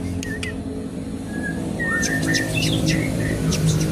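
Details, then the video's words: Asian pied starling singing as a lure and teaching aid for other birds: short whistled slurs and clicks, growing busier with scratchy notes toward the end, over constant low background noise. "jalak suren gacor pancingan tembakan penambah materi isian burung"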